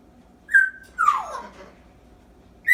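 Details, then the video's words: Young African grey parrot, eight months old, kept as a pet, imitating a dog's whine: a clear whistled note, then a long descending whining glide fading out, and another sharp note at the end. "African Grey Parrot is now 8 months old making sounds/saying bad word"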